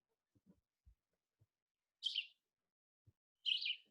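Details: Red-eyed Vireo song in South Carolina in spring: two short, quick, warbled phrases about a second and a half apart, a faster "vireo" than the Blue-headed Vireo's, with faint low knocks in the background.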